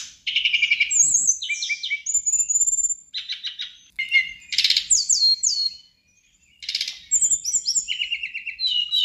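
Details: A prolific-singing sirdadu, used to prompt other sirdadu to answer and compete, sings rapid, high bursts of chattering notes and sweet whistled phrases, broken by brief pauses; no other sounds stand out.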